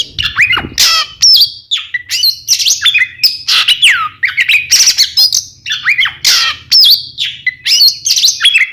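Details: Oriental magpie-robin song, a pair of birds provoking rivals to answer: rapid, varied, high whistles and sharp squawky notes with frequent rising and falling sweeps, delivered in dense continuous phrases.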